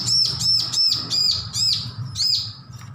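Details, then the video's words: A young bar-winged prinia no longer hand-fed sings a steady series of about six loud, high, arched whistled notes, roughly two per second, with a low hum beneath. "Ciblek lepas loloh belajar bunyi full masteran"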